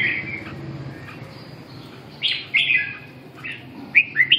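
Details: Red-whiskered bulbul giving bright, chirpy whistled phrases in short bursts, with gaps between them and a faint low rumble in the background.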